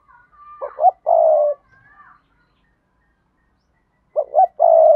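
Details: Spotted dove calling in sa thúc, gù and gáy styles, used as a lure for wild doves: two clipped notes and a long steady low coo, a pause of about two seconds, then the same phrase again.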